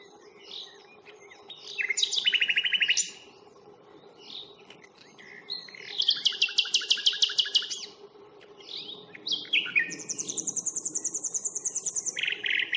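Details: Common nightingale singing during a spring reserve stroll on 1 May: varied phrases alternating with rapid mechanical trills and fast repeated chattering notes, loud bursts separated by short pauses, low background hum.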